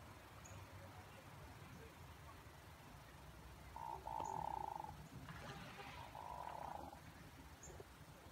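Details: Hooded merganser calling during courtship display, its sound resembling a pickerel frog: two low, rolling croaks about two seconds apart, separated by a brief burst of broadband noise, over a steady low rumble.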